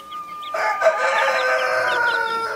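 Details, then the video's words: Broody Naked Neck mother hen with Brahma, Australorp and Sussex chicks: a loud, sustained harmonic hen call of about two seconds, after a few soft chick peeps, with faint chick cheeps continuing beneath it. "naked neck mother hen with brahma ,australorps,sussex baby chicks - κλωσσα"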